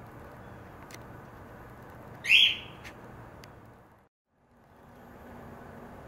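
A cockatiel gives a single loud, screechy whistled call that bends upward, over steady background hiss.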